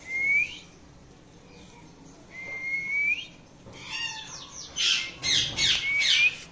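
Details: Indian ringneck talking parrot making different sounds: clear rising whistles, three times, mixed with a run of harsh, noisy squawks and chirps toward the end.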